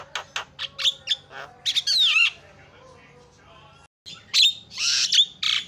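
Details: Javan myna calls used as a lure for other birds: sharp chattering notes and a wavering squawk, a short silence, then loud harsh rasping bursts.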